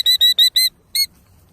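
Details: A female killdeer guarding her nest in a pasture while faking a broken wing utters four quick, high, piercing notes in a row, then a short gap and one final note.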